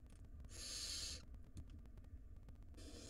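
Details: Barn owl nestlings in a wild nest box begging at feeding time; one long rasping hiss of nearly a second, a quiet gap with faint clicks, then another hiss beginning, low hum throughout.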